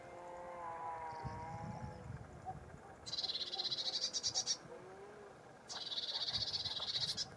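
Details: Lesser whitethroat: two loud, rapid rattling trills on a single high note, about three seconds apart, after a stretch of soft bleating from livestock in the background.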